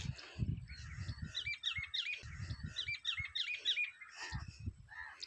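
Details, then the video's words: Birds chirping in a village's natural surroundings in summer: bright, quick chirps in dense bursts, several per second, with short pauses between bursts, over low rumbling noise. "CHIRPING SOUNDS OF BIRDS"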